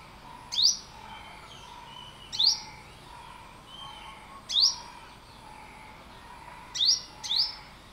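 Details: Olive-backed sunbird giving piercing upswept notes at roughly two-second intervals, five in all, the last two close together, with faint continuous lower tones and chirring behind.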